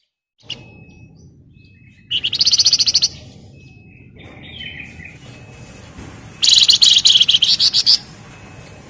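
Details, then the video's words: Javan tesia singing ngebren rapat: a sharp opening note, then two loud bursts of rapid high stuttering notes about four seconds apart, with quieter warbled notes and low background murmur between. "Burung Flamboyan Gacor Ngebren Rapat/ Wergan Jawa"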